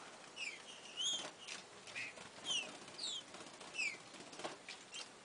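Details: Green-winged saltator singing while courting: short, clear whistled notes, some rising and some falling, spaced roughly a second apart, with soft flapping or rustling bursts between the notes.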